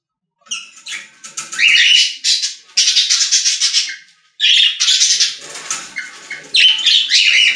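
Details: Budgerigars singing in a pet store: long stretches of fast, scratchy warbling and chirping, broken by two short pauses.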